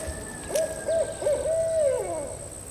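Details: Barred owl calling in the background outdoors while people clean up: several short, rounded mid-pitched hoots, then a longer drawn-out hoot that slides downward at the end. A steady high electronic whine runs throughout.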